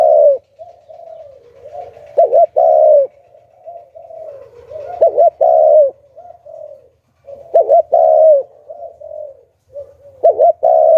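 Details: Decoy spotted dove singing the Hạp Bổi voice to attract wild doves, four strong, resonant coo phrases roughly every two and a half seconds, each with softer lead-in coos, a clipped double note and a drawn-out ending.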